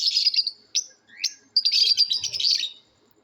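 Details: Natural lovebird calls from a calling competition: a buzzy chatter, two quick rising squeaks, then a longer rapid grating chatter that fades out.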